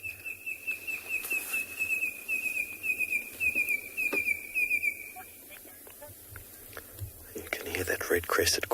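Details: Red-crested korhaan calling at sunset in the Tswalu Kalahari Reserve, South Africa, late August, during a monitor lizard sighting: a rapid series of sharp, high clicking notes repeated steadily for about five seconds, followed by a guide talking and rustling.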